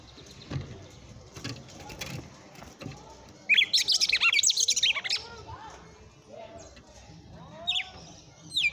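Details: Red-cowled cardinal singing in the late afternoon, locally said to be 'açoitando', in full vigorous song: a sudden fast burst of high, tightly packed chirped notes lasting about a second and a half, with scattered softer background noises before and after.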